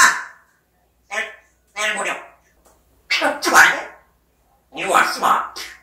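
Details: African grey parrot talking indoors in a quiet room: five separate bursts of harsh, speech-like syllables with rich harmonics, spaced irregularly with silent pauses between them.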